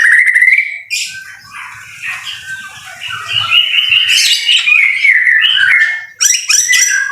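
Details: Singing in the rain, a white-rumped shama opens with a long sliding whistle, then runs quick twittering and trilled phrases, with a sharp clicking burst near the end.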